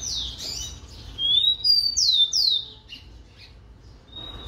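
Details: Rufous-collared sparrow, known locally as tico-tico, singing a string of clear, high whistled slurs. Several notes drop sharply in pitch and the loudest come in the middle. A faint short whistle follows over a low background rumble.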